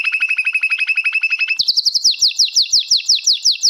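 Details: Canary singing a long roll used for song tutoring: a fast even trill of identical notes, then a higher, slightly slower run of bright repeated notes, steady and continuous.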